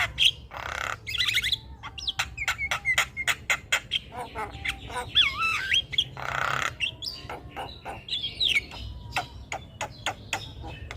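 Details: Noisy, nonstop Javan myna singing used to tutor other birds: a dense run of clicks and rasping squawks broken by looping, swooping whistles, with a few thin sustained tones beneath.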